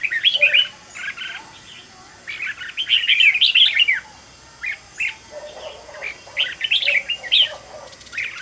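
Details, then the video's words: Decoy red-whiskered bulbul trained for quick, intense singing. Dense chattering, warbled phrases are repeated about three times a second, mixed with some lower chirps. "Cách luyện chào mào mồi - Hót hay nhanh lửa, Căng"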